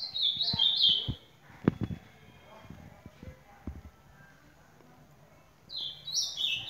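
Ultramarine grosbeak singing a sweet, warbled phrase of descending notes, which breaks off and returns after a few seconds; faint knocks and voices in between.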